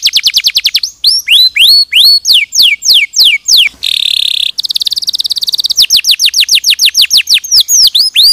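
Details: Canary singing on a tutoring recording for other canaries, with loud downward-swept whistled notes, then a brief harsh buzzy roll and a rapid high trill, before returning to rhythmic swooping notes.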